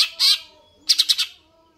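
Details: Greater green leafbird singing energetically: a short bright burst, a pause, then four quick sharp chirps in a tight cluster, high-pitched and clear against a quiet background.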